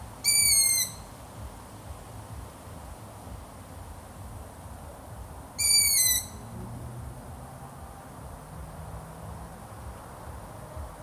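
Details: Two high, squeaky, slightly descending calls from a long-eared owl, each about half a second long and spaced roughly five and a half seconds apart, with faint hiss between them.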